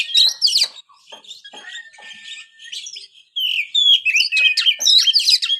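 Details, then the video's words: White-rumped shama kept as a songbird: loud whistled and chipping phrases, a quieter, softer stretch, then a fresh burst of bright whistles and sharp notes. "buat burung Kacer anda yang malas bunyi"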